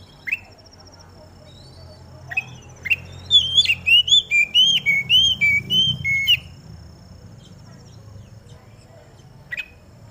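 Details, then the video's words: Oriental magpie-robin placed out in the morning dew, singing to set other magpie-robins off: scattered sharp chips, then a fast string of about eight whistled, up-and-down slurred notes, with a low rumble and a thin high buzz throughout. "Burung Kacer Mana Yang Gak Bakal Ikut Gacor Ketika Dengar Suara Kacer Di Embun ini"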